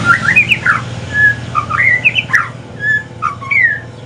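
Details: Aceh white-rumped shama, evening song in the pastol style. Loud, fluty whistles rise and fall in quick, varied phrases, mixed with chattering notes and separated by short gaps.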